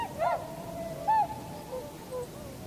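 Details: Tundra swans calling as a flock on 7 February 2015 in winter, landing and taking flight, recorded with a Canon PowerShot SX60 HS and external mic. Two loud, mellow, harmonic honks, one at the start and one after a second, with quieter calls between.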